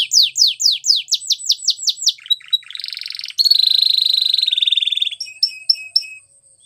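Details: Singing white Belgian canary: loud falling whistles in a quick series, then a buzzy roll, a long, steady, high trill, and a few short separate chirps fading out.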